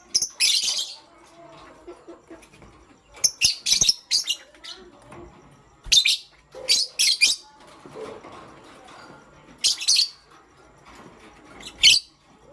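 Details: Pastel gray and green pet lovebirds chirping in the morning: loud, shrill, scratchy chirps in quick clusters of two to four, with pauses of a second or two between clusters and quiet rustling in between.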